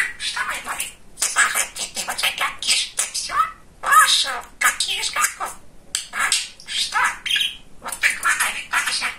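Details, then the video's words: Chatty young male pet budgerigar babbling imitated words: a long fast stream of gravelly, buzzy syllables with some wavering whistled notes, barely pausing, indoors. "Самый Разговорчивый Волнистый Попугайчик"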